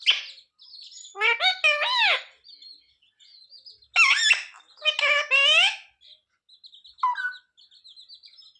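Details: Talking parrot asking mummy for roti; clusters of strained, sliding speech-like syllables, quiet stretches of faint high chirps, and a brief final note.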